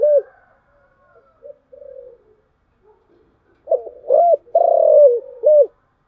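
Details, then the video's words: Low, mellow cooing of a spotted dove in the 'giọng thổ chiêu gù' voice: a single coo, soft mutters, then a full phrase of stuttering notes, a long falling coo and a short final coo. "cu gáy/ cu gáy giọng thổ chiêu gù"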